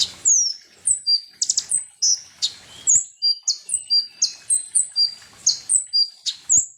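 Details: Sunbird song, locally konin or kolibri ninja, offered as a lure to make birds angry; dense run of shrill high chirps and falling whistles, nearly twenty notes in seven seconds, with snapping clicks mixed in.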